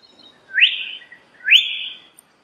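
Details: Common hill myna giving two bright, rising whistles, each climbing quickly and then levelling off into a sustained high tone, roughly one second apart, in a quiet setting.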